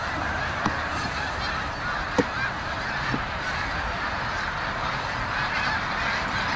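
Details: Autumn Canada geese at a reservoir in Utica, New York, in November: a wash of flock honking under constant broad noise, with a few sharper single honks standing out near the start and middle.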